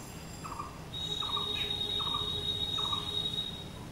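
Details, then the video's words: A blue-throated barbet, or bosonto bouri, gives four short mid-pitched notes spaced about 0.8 seconds apart while a sustained high thin whistle runs through most of the recording. "BLUE THROATED BARBET | BOSONTO BOURI"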